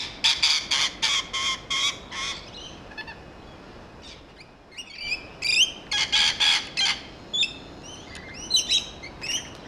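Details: Rainbow lorikeets feeding on a large grevillea in a back garden, screeching: bursts of harsh, broadband shrieks in quick runs, mixed with sharp rising and falling chirps from several birds, a short lull midway.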